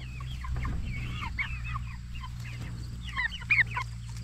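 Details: A flock of 44-day-old jumbo Cornish Cross broilers raised for meat makes scattered high peeps and slurred chirps. A couple of louder squeaky calls come near the end, with a constant low hum beneath.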